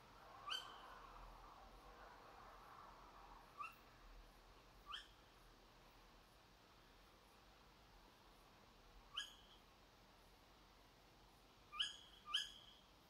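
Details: Tawny owl (Strix aluco) calling behind a house at 4 a.m.: six sharp, shrill, upward-flicking shrieks at irregular intervals over about twelve seconds, against a quiet background hiss.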